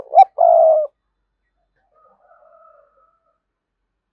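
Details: Spotted dove decoy coo aimed at prompting wild doves to call. A rising note and a long coo end one phrase, then faint, distant cooing follows before the start of another phrase.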